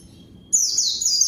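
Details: White-eye luring a rival: a single sustained burst of very high, twittering, wavering whistles starting abruptly after brief quiet.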